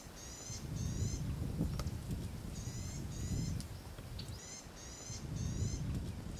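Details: A female Cape batis gives short, very high, buzzy trilled bursts, mostly in pairs about half a second apart, over a steady low rumble of wind.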